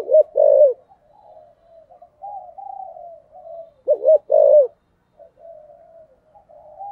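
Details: Spotted dove used as a decoy, 'thổ' voice style, 'hai hậu' calling in early 2023. Two short bursts of deep rounded coos separated by soft, quiet, wavering hums.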